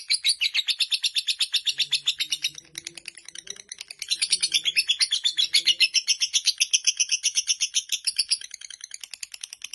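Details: Long ngekek chatter of a fighter lovebird: quick, shrill repeated pulses with a short dip in loudness before resuming at full strength, and faint low sounds in the background.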